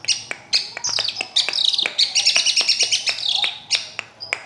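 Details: Long-tailed shrike in full song, a dense, varied twittering stream of scratchy and whistled high notes with sharp clicks, rising to a continuous chatter in the middle before breaking into separate notes.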